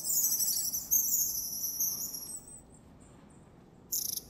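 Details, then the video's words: Long-tailed tits in the wild in January, Moscow Region, Russia, giving very high thin trilled and buzzy calls in long streams, fading to faint short notes before a final brief burst. "Длиннохвостая синица. Long-tailed Tit. (Aegithalos caudatus). Январь. January."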